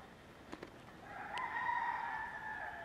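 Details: Rooster crowing at sunset in the quiet Waihou Spring Valley along the trail's switchbacks: one long, sustained, slightly wavering crow lasting about two seconds, preceded by two faint clicks.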